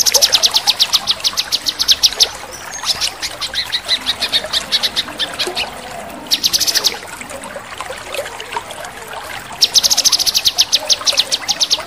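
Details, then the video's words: Persistently singing male cucak kinoi giving sharp crecetan trills: several bursts of fast, high repeated notes, separated by quieter stretches and set against continuous gurgling, pouring water. "Cucak Kinoi Jantan Gacor | Crecetan Kinoi Tajam | Kinoi Full tembakan"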